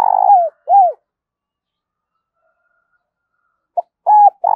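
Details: Decoy spotted dove luring others toward a trap, its voice carrying over the village: two drooping hollow coos, a pause of nearly three seconds, then a short note and further coos.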